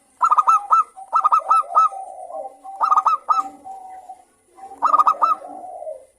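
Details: Local zebra doves, several calling back and forth in a lively chorus, used as a lure to prompt other doves to sing. Clipped, hooked cooing notes come in three quick phrases with pauses, over softer, lower, drawn-out cooing.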